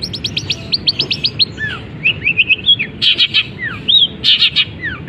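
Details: Caged long-tailed shrike, uncovered, singing a medley that imitates canary, fighting sparrow and kapas tembak. It opens with a rapid series of about a dozen high rising notes, then gives looping whistles and harsh chattering bursts.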